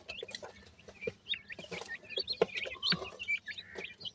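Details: Grey francolin chicks, locally called bhura teetar, giving short high chirps and thin whistled peeps scattered over lower clucking and tapping sounds.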